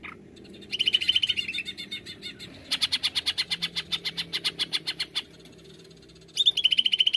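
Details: Greater green leafbird singing 'nembak' style as a lure: bursts of fast, high, evenly spaced chattering notes, one long run of about twenty clipped notes between shorter twittering phrases, over a low background rumble.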